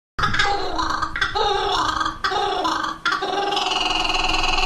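A kookaburra gives a loud, rolling, gargling cackle in dense bursts of about a second, with brief pauses between, in a small echoing space.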